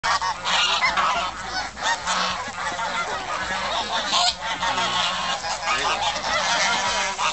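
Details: Flock of geese at Shields Lake in Richmond, Virginia, honking continuously, a dense overlapping chorus of harsh nasal honks filling the whole stretch.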